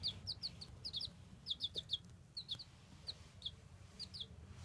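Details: Baby chicks call with clear, high, short peeps, often in quick pairs or triplets, spaced irregularly over a low background hum.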